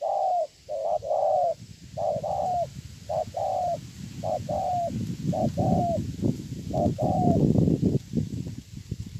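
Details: Spotted dove decoy from Hơmon, Sa Thầy district, Kon Tum, Vietnam, recorded 7/9/2018: a series of mellow, slightly downslurred coos in pairs, partly masked by a continuous low rumbling noise that grows toward the end.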